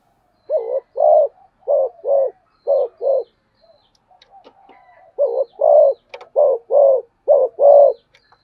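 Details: Spotted dove giving fast cooing: two rapid bursts of deep, hollow paired coos, short then longer, repeated about six times each. A quiet gap with faint soft notes separates the bursts.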